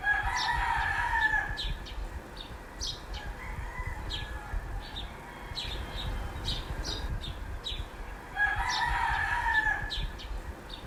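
A rooster gives two long, hoarse crows about eight seconds apart, with many short, high chirps from small birds and a low background rumble throughout.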